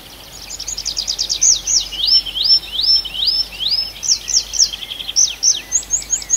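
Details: Bird singing at night in a forest in Arkhangelsk Oblast, Russia, in June: a varied string of clear whistled notes, swooping up and down, with fast repeated phrases, over a steady background hiss.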